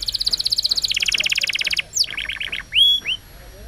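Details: Young-canary training song: a rapid pulsing trill dropping to a lower, slower roll, then a few quick downslurred chirps and two clear rising whistles.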